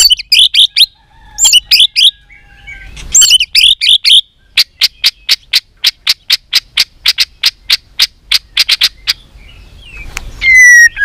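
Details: White-rumped shama trained for contest singing: a few warbled whistled phrases, then a long steady run of sharp high clicking notes about four per second, ending in a thin falling whistle.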